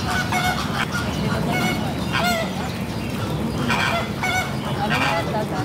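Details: Several Coscoroba swans on a lake give loud, nasal honking calls in short bursts every second or so, overlapping one another over a steady hum of background noise.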